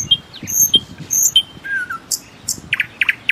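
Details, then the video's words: Common nightingale song mixing high whistled notes, a low wavering whistle and quick repeated sharp chips, over soft low thumps in the background. "أجمل تغريد لطائر العندليب او طائر الحسنية"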